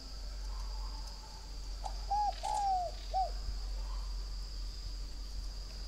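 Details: Northern Vietnamese spotted dove from a breeding garden in Ba Vì district, Hanoi, prized for good cooing. Around the middle, one three-part coo: a brief hoot, a drawn-out sliding note, then a clipped final coo, against a constant high insect drone.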